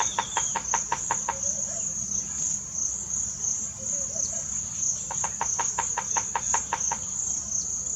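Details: Bearded woodpecker in Botswana in March, drumming loudly: two bursts of quick, regular knocks, about seven then nine, separated by a few seconds, over an unbroken shrill insect whine.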